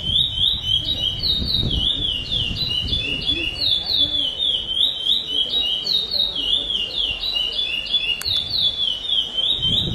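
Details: A competition lesser seed finch (curió) named Dragão, first place in the classic-with-repetition category at the 2008 Bauru tournament, sings a rich, whistled song of clear, repeated phrases sliding up and down, with faint voices and room noise behind.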